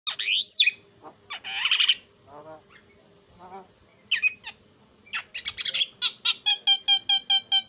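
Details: Javan myna, a lure recording meant to provoke other mynas into loud, excited calling; a varied series of whistles, harsh noisy bursts and squeaky notes, ending in a fast run of evenly repeated bright chirps.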